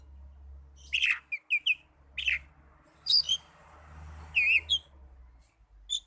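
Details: Oriental magpie-robin, song used to prompt young or silent birds to sing: scattered sharp chirps and short whistled phrases over steady low rumbling background noise.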